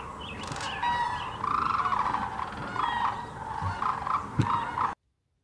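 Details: Massed sandhill cranes gathered at a wildlife refuge in Birchwood, East Tennessee, on a freezing day, filmed with a GoPro and Canon camera; a near-continuous chorus of trilled, purring rattles, with a few sharp knocks and steady background rumble.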